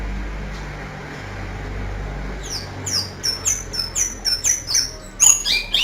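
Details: Oriental white-eye with a canary-like song style, singing a rapid series of high, sharp descending chirps, about two per second, after a stretch of background hiss; louder notes burst near the end.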